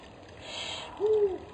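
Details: A spotted eagle-owl, heard during a food delivery, apparently of a bird, gives a single low, soft hoot that swells slightly and fades after about a third of a second, preceded by a brief rushing hiss; the companion's song is audible.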